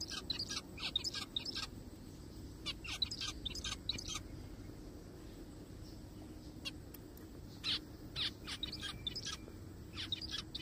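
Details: Forest scene with several zebra finches: a busy stretch of rapid, nasal, buzzy call notes, then a quieter pause, then more scattered calls and short clusters, over a low constant hum.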